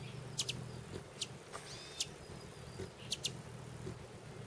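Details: A hummingbird in Arizona, filmed close up while feeding, gives sharp, very high chips, single or in quick pairs, about one every second, with one thin twittering sweep, over a low steady rumble.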